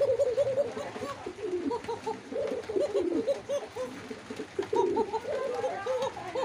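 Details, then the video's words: Pigeons cooing indoors: many overlapping soft, low, rounded coos repeated steadily, several birds calling at once, with faint rustling behind. "Pigeon Sound"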